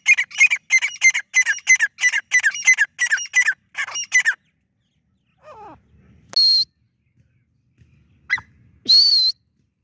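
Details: Francolin uttering a fast string of harsh, falling rasping notes for about four seconds, then quiet, broken by a few sliding chirps and two loud buzzy whistled blasts.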